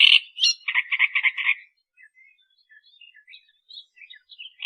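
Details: Australian reed warbler song from a tutor recording: a loud burst of harsh, grating notes repeated quickly for about a second and a half, followed by softer scattered chirps and brief thin whistles.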